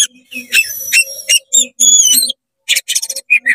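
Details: Excited oriental magpie-robin in fast song with its tail open, meant to provoke other magpie-robins: piercing high whistles and buzzy rasping phrases, a short silence, then rapid chattering bursts and a closing whistle.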